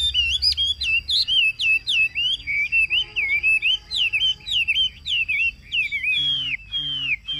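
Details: Ngũ trường song from a caged Chinese hwamei in Vietnam during hot weather: clear looping whistled notes repeated steadily in quick succession, each curling up then down, with a low hum in places.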